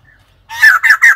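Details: White-crested laughingthrush call: three loud harsh, chattering bursts in quick succession after half a second of near silence, each noisy and broad with a rough, cackling quality.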